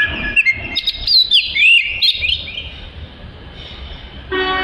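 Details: Oriental magpie-robin singing, suited as tutor material for training other birds: about two seconds of quick whistled and chattered notes over background noise, then only noise and a brief low hum.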